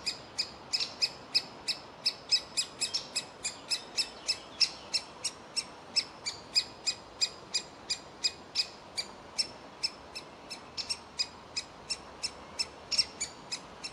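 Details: Woodpecker youngster in a tree hole that will not leave, calling to be fed; a long, relentless series of sharp, high, uniform chirps roughly three per second, with little else audible.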